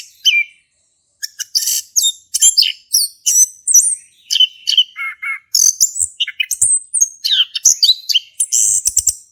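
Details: Male orange-headed thrush singing ngeplong to encourage a silent bird; after a lone whistled note and a pause, a long rapid medley of high chirps, mimicry-like trills and down-slurred whistles follows.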